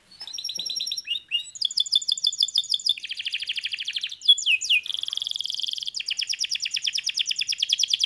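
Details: Canary singing a varied song of rapid trills and rolling tours, shifting between buzzy rattles, clear repeated notes and a sharp upswept whistle, continuous and high-pitched in a quiet setting.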